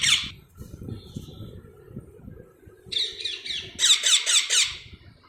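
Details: Baby parrots chirp in scratchy clusters: one sharp opening note, soft murmurs, then a run of rough calls that builds into louder, closely spaced rasps near the end.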